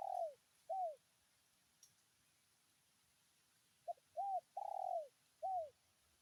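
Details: Spotted dove calling a rival with the 'tarik akar' call: soft, hollow coos, two closing notes of one phrase, then a fresh phrase of a short pip, two rounded coos, a drawn-out coo and a final coo. Background is still.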